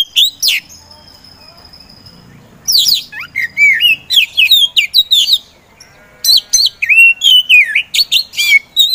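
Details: Poci magpie-robin, kept by songbird hobbyists as a provoker for slow-to-sing birds, opens with a sharp note and then bursts into dense, rapid sequences of whistles, trills and squeaky chirps with a short pause midway.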